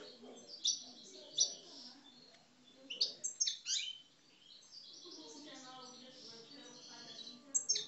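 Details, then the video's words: European goldfinch of the Algerian parva form, a caged aggressive 'coupleurs' singer, in one of several birds from different Algerian regions. Bright, rapid tinkling twitters in clustered bursts, interspersed with short pauses and buzzy trills. "Mes Chardonnerets Parva Algeriens Coupleurs, Agressif"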